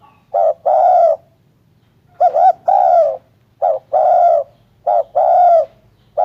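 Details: Loud, clear spotted dove coos: a quick doubled note followed by a longer sliding hoot, repeated in regular phrases with quiet pauses.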